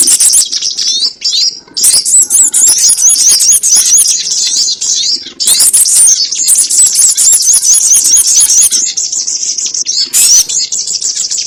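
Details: Sogon birds' call used as a trapping lure: dense, high, overlapping twittering and rapid chirps in long unbroken bursts, with brief pauses near two and five seconds.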